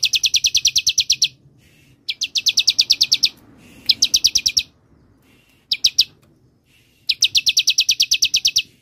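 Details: Bar-winged prinia, 'semi' style song for luring and for training other songbirds. Five bursts of rapid, piercing chips, some long runs of a dozen notes, others only two or three.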